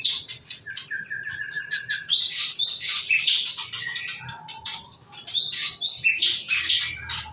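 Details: Female murai kept for breeding champion songbirds, singing a rapid, dense run of high chirps, trills and buzzy notes with a few lower whistled phrases, pausing briefly near the middle.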